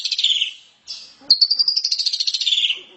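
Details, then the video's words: Asian pied starling chattering song on a training recording: a short rasping burst, a brief buzzy note, then a long rattling trill that slowly falls in pitch. "JALAK SUREN SUPER NGEPLONG KICAU PALING NGERIWIK"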